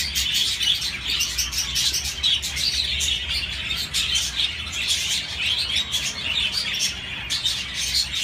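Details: Continuous budgerigar chirping, many overlapping voices forming a busy, raspy high-pitched chatter with quick clicks and squeaks, steady in loudness throughout with small bursts of sharper notes.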